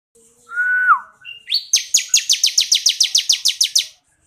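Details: Bar-winged prinia, 'kristal' type, singing as training material for other birds: one pure whistle falling at its tail, a short rising note, then a fast even trill of about fourteen sharp, high, buzzy notes.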